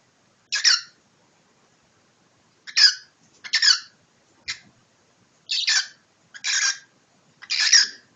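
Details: Cockatiel kept as a pet, squabbling with its owner: seven harsh, raspy squawks, each brief and broadband, come at uneven intervals of roughly one to two seconds, with quiet gaps between.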